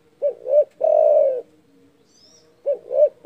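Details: Loud, rival-provoking cooing of a spotted dove. A pair of quick rounded notes leads into one sustained, even coo, and the next phrase starts almost three seconds later. A faint high whistle from another bird is heard in the pause.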